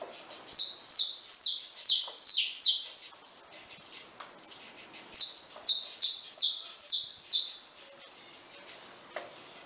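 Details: Saffron finches feeding freely at a feeder give two bursts of bright, high chirps that drop in pitch, six then five in quick succession, with a pause between and faint background rustles.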